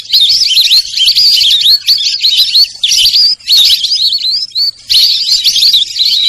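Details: Sarail bird giving loud, high whistled notes that bend up and down in quick wavering phrases, repeated in bursts with short gaps between them.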